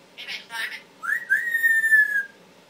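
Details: Talking Timneh African grey parrot kept as a pet: two quick speech-like syllables, then a long clear whistle rising sharply and held steady for over a second.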